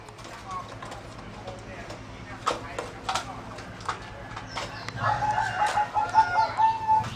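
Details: Singing zebra dove bred by breeders for singing competitions, a line distinct from wild birds: after scattered clicks and knocks, a steady, rolling mid-pitched cooing trill holds for about two seconds near the end, over faint background hum.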